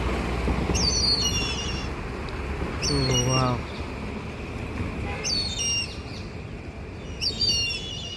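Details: Several Indian grey hornbills, possibly including young, perched together about 50 feet up in a Nilgiri tree, give shrill, squealing high calls in short bursts about every two seconds. A man speaks softly over steady background hiss.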